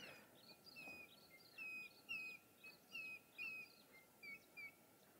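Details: African grey hornbill, seen uncommonly here because it prefers tall canopy and Mopani woodland, gives a series of thin, slurred whistled notes, about two per second, over a steady high insect drone.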